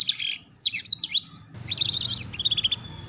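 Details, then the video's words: Training song meant for young canaries, a ngeriwik-style sound, made of high descending sweeps followed by quick trilled chirps in short bursts. "Pancingan Kenari Paud Belajar Bunyi Ngeriwik"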